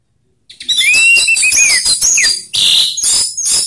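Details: Orange-headed thrush in a long continuous ngeplong song, rough and slow styles combined to prompt other thrushes to sing: dense, high twittering phrases with a clear rising-falling whistle and quick chirps, after a short silence.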